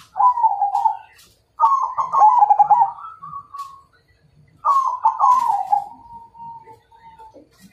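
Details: ['Majapahit perkutut zebra dove singing a call to fight: bubbling, trilled coo phrases, each ending in a long, even, sustained tone, with scattered clicks and taps around them.']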